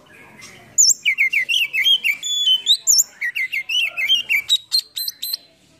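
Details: Oriental magpie-robin, tail spread, delivering a rich lure song full of fill-in phrases meant to stir quiet birds into song: a steady stream of loud, varied whistles and trills, with rising slurs and rapid repeated notes near the end.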